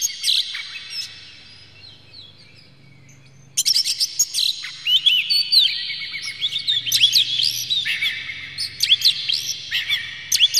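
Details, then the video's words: Oriental magpie-robin lure song with clear, rough song material, meant to agitate a bird into singing and tail-spreading: faint high chirps, then from about 3.5 seconds a loud, dense run of sharp whistles, trills and rapid chirped notes. "PANCINGAN KACER Buka Ekor KONSLET bongkar MATERI KASAR JERNIH agar KACER emosi"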